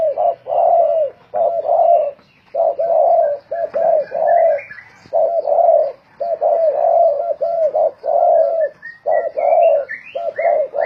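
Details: Spotted dove kept as a decoy and heard in a cooing contest, giving steady low hollow coos in grouped phrases, repeated at a regular pace; faint higher chirps from another bird near the end.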